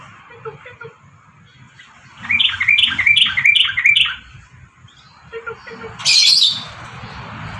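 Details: Sooty-headed bulbul (trucukan garuda) singing a burst of about six short, bubbly, rising notes repeated quickly, with a few faint low chirps before and after and a sudden harsh noise near the end.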